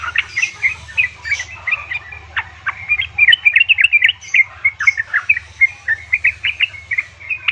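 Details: Yellow-vented bulbul, a female calling her mate, used to encourage caged males to sing: continuous lively chatter of sharp chirps and bubbly notes throughout, fairly even rhythm, with a low background hum.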